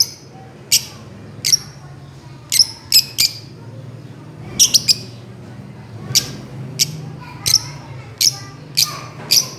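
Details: Fischer's lovebirds, pet birds playing on a swing, give sharp high chirps, singly or in quick pairs and triplets, about one every second over a low steady hum.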